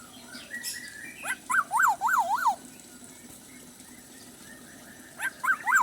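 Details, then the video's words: Black-naped oriole, chatty with plentiful fill-in song: a sharp note leads into a run of four looping fluty whistles, and a second similar phrase begins after a quiet pause, over a low hum. "kepodang isian melimpah gacor"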